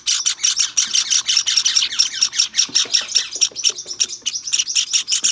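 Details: Hand-tame white Java sparrow chick, 23 May 2021: fast, raspy high chirps, close to three per second, with a faint steady whistled tone threading through them.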